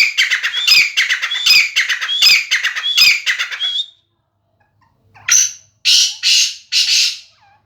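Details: Grey francolin, babu sindhi type and chakri wala style, said to give 270 calls a minute: a loud run of rapid, harsh, ringing phrases repeated in steady rhythm, a short silence, then several louder rasping bursts.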